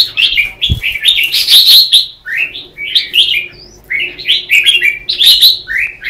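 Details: Competitive morning song of red-whiskered bulbuls, used as lure song to prompt other bulbuls to sing: dense run of fluty chirped notes, mostly short downslurred phrases, with a brief soft thump near the start.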